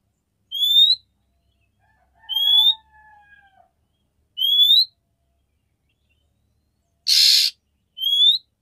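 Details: Female oriental magpie-robin calling the male to stimulate mating. Repeated short rising whistles come about every two seconds, with a lower falling whistle and one harsh rasping note among them.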